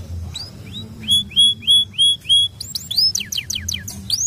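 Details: Canary; song; prompting other canaries to sing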